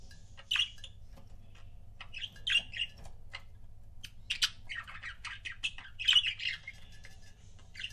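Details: Pet budgies in couples keep up a steady, soft, scratchy warble mixed with short clicks and squawky chirps throughout, over a faint hum.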